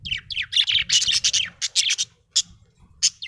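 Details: A happy pet budgerigar chirps busily, a fast stream of high scratchy warbled notes for two seconds, then a few separate sharp chirps spaced by brief pauses.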